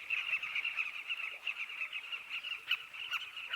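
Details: Southern carmine bee-eaters at a nesting colony in a dry riverbank, a sociable breeding colony of hundreds: a dense, continuous cacophony of overlapping chirps centred in a narrow mid-high band, with no other sounds.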